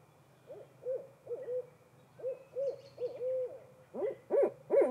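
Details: Hooting barred owl, a female answering her mate: a run of wavering mid-pitched hoots, one long drawn-out note, then louder, harsher hoots at the end, over a low background hum.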